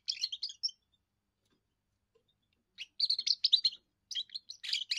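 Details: A young European goldfinch's first song, declaring territory and courting females: a short twittering phrase, a two-second pause, then a longer rush of bright, rapid chirps and metallic trills.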